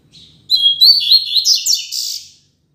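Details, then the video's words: Double-collared seedeater giving the Tui Tui Zel Zel classic training song: a soft lead-in, then a dense sequence of high chirps and buzzy slurred notes lasting nearly two seconds, clear and unaccompanied. "Encarte Tui Tui Zel Zel Canto Clássico Ideal Para Encarte e Treino de Coleiros e Papacapim!!!"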